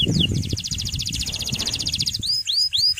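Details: Male canary in full song, used to train young birds: a fast, even, high buzzy trill, then separate upward-curving whistled notes, over steady low rumbling background noise.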